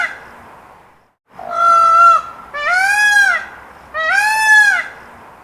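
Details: Indian peafowl (Pavo cristatus), a peacock calling: three loud, nasal, trumpeting wails, each under a second long, the last two arching up then down in pitch.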